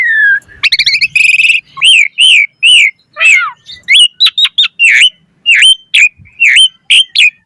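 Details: Asian pied starling singing actively, fast and varied, as a lure: a low whistle, a buzzy rattle, then a steady run of loud arched chirps and sharp ringing notes.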